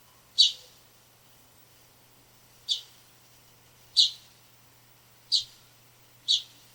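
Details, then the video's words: A house sparrow in a backyard gives five sharp, isolated chirps, spaced one to two seconds apart, over a low, steady background hum. "House Sparrow Sounds and Calls"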